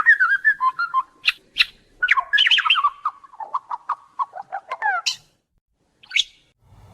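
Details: Australian lyrebird mimicking other wildlife in eucalyptus forest; a varied stream of warbles, clicks, sharp high squeaks and descending slurred notes, ending in a pause and one last high note.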